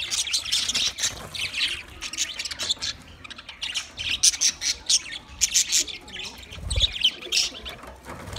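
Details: Budgerigar flock of about twenty pairs giving continuous chatter: quick high squawks and chirps in clustered bursts, and a brief low thump near the end.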